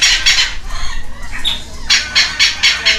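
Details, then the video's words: Two hand-fed red-lored amazon chicks at a rescue center in Heredia Province, Costa Rica; quick rasping squawks repeat several times a second, with a brief quieter gap midway before the calls resume. "A feeding frenzy for two baby Amazon Red-lored parrots!"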